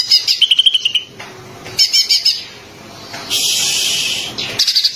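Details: Green leafbird song, used to stimulate magpie-robins to sing: rapid high chirps and a quick rippling trill, then a harsh buzzy burst, followed by more sharp high notes.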